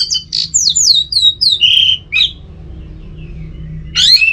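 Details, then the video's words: In Singaraja, North Bali, a caged orange-headed thrush sings in the 'teler semi doyong' style: a rapid stream of down-slurred whistles, a harsh note, a pause, then a rising sweep. "ANIS MERAH TELER. SEmi DOyong."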